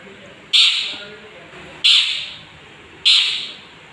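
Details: Young long-tailed shrike, described as in full voice and used as a lure to provoke other birds: three harsh, rasping squawks, each starting abruptly and fading, spaced about 1.3 seconds apart over a quiet background.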